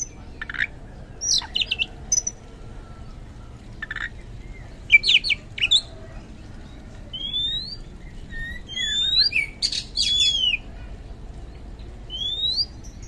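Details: Oriental magpie-robin in loud, open song, played to draw a response from reluctant birds: scattered sharp chirps and buzzy clusters early, later a run of curving rising and falling whistles.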